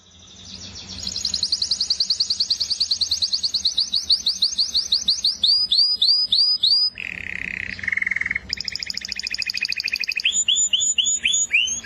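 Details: Long canary song: a rising run of rapid notes, a set of looping downward sweeps, a low buzzy trill, then high rapid trills and curling sweeps.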